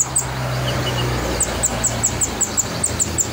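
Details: Sunbird known as kolibri ninja in full voice: after a brief low drone, a fast even string of piercing high chirps follows, roughly six per second.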